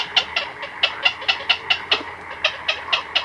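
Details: Black-crowned night herons, chicks and adults, in a colony at night, recorded close: a quick chain of dry, tapping clicks, fairly regular, over a faint hum of other colony calls.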